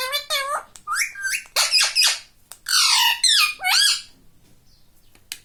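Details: A pet rose-ringed parakeet speaks, reportedly saying "mummy", in a dense string of loud, nasal, harmonic syllables with swooping rises and falls, ending in quiet.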